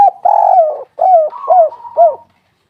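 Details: Spotted dove, locally tekukur or derkuku, cooing in a lure recording meant to make doves call: a long low hum followed by three short bowed coos, each dipping in pitch, then silence.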